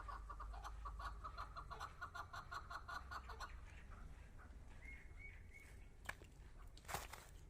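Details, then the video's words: Captive hunting-decoy chukar partridge calling in front of a female partridge: a quick run of harsh chucking notes for about three seconds, then a thin level whistle over low background rumble. "Кабки шикори дар пеши модкабк"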